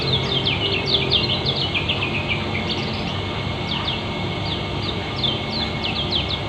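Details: Quick dense chirping from a kecial kuning Lombok white-eye, ngeriwik speed rapat style for therapy, coming in bursts of sharp descending notes with brief gaps, over a faint background hum.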